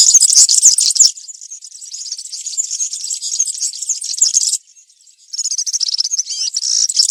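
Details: Country-style song of a European serin in the woods: shrill, rapid jangling trills held high and continuous, softer in the middle, a short silence near four and a half seconds, then more squeaky twittering.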